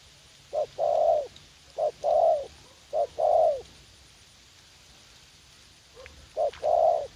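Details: Spotted dove decoy, a young bird said to be eager to fight, calling during bird luring in a garden at U Minh: three paired phrases of a brief note then a drawn-out soft coo, about a second apart, with a long gap before the last.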